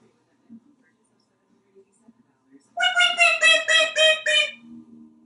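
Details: An African Grey parrot, a male named Einstein hatched in 1997 and kept in a Texas home, practises alliterative words on the bathroom shower. He bursts into a quick run of about seven squeaky, nasal syllables, four or so per second, after a near-silent start.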